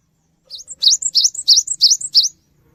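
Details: Cinereous tit song played to prompt other birds to respond: a fast series of about eight high, clear, wavy notes alternating with short higher chips, lasting under two seconds, with a faint low hum beneath.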